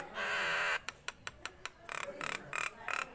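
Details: Nias hill myna in full voice: a long harsh nasal squawk opening, followed by sharp isolated clicks, then a string of buzzy, rasping notes repeated about three times a second.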